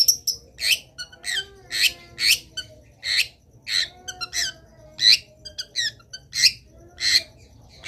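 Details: Long-tailed shrike in a lively training song full of filler phrases: rough, squawking notes about every half second, uneven in rhythm, over a faint low hum.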